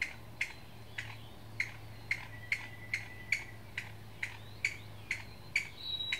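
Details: Alarm calls of one Chinese bamboo partridge recorded at Qingjing in Nantou, Taiwan, 6 July 2017: a steady run of about fourteen short, piercing notes, each roughly half a second apart, with a faint low hum underneath.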